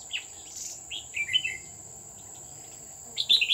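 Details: Red-whiskered bulbul recorded during a bird-trapping session at Núi An Phú, Chùa Hương, on 20 October 2019. Short whistled, warbling phrases come in bursts, with a quiet gap before a loud final phrase, over a constant high insect whine.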